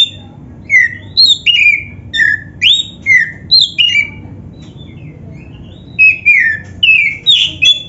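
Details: Black-breasted Oriental magpie-robin (kacer dada hitam) singing a lively, fluent song, the kind played to train other kacer and get them singing: loud, clear whistled phrases, some rising and some falling, about two per second, with pauses, over low background hum.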